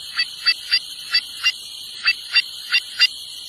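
White-naped jay giving short, harsh, raspy notes about three per second, some in loose pairs, over a steady high hiss of insects.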